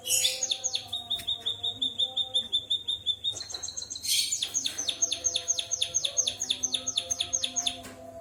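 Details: White-headed munia singing like a canary: high whistled notes, then a fast, steady string of thin descending chirps running to the end, over a soft low hum.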